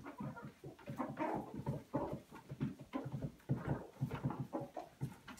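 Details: Chickens returning into the house after being locked out during spring cleaning give soft, low, uneven clucks mixed with shuffling and scratching noises in a small room.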